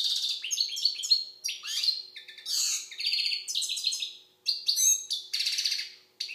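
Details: Algerian European goldfinch singing a rapid, tinkling twitter of high buzzy notes and quick slurred chirps, broken by brief pauses near four and six seconds; no other sounds.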